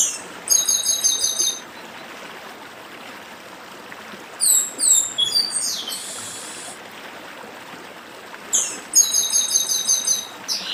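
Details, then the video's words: Chestnut-capped blackbird (papa-arroz) in 'dedim' song with a stream behind it: three bursts of rapid, high, metallic trilled notes separated by pauses, one ending in a hoarse dropping rasp, over a continuous watery hiss. "Papa Arroz Dedim com Som de Riacho (Papa arroz do Nordeste)"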